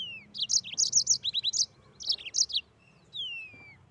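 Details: Mozambique canary in rolling 'ngeroll' song: a falling whistle, then a fast run of high, bright chirps, a shorter second burst, and a final long descending whistle.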